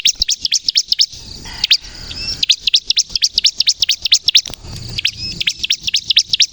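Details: Bar-winged prinia, gacor kristal type, singing to lure and provoke other prinias into song; rapid sharp high chirps repeated about twice a second in long runs, broken by short pauses with faint low rumble.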